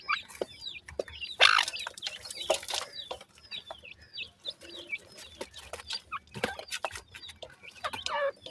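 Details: Black francolin chicks of the Sindhi and Dakhni types feeding and playing together: many overlapping short chirps and clucking notes, some loud bursts with rising and falling pitch, plus scattered scratching and rustling.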